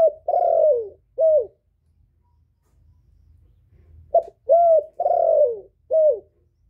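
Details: Cooing of a male spotted dove used as a decoy to attract wild doves. Two matching low phrases of four coos, each with a long falling middle note, are separated by a quiet pause of about two and a half seconds.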